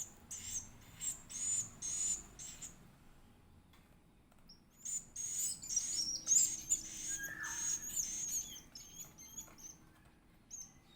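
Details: Edible-nest swiftlet chick begging during feeding: pulsed bursts of piercing high chirps, a quiet pause of about two seconds, then renewed twittering that fades into scattered single chirps.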